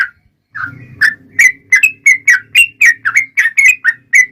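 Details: Yellow-vented bulbul, a fast continuous singing style used as a lure to make other bulbuls answer: a short opening note, then a rapid run of bright, slurred, chattering notes, about four per second, over a faint low hum.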